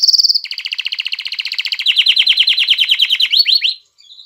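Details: Excited male canary singing to bring females into mating condition: one high note, then a long, very rapid trill that slowly drops in pitch for over three seconds, ending in a few slurred notes.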